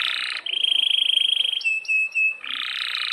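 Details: Canary singing a long roll: a dense buzzy trill gives way to a pure steady whistle, then short sustained whistled notes, and the buzzy roll returns.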